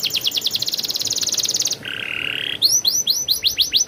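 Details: Canary song moving from a fast high rolling trill into a lower buzzing hold, then into repeated arched, whistled sweeps.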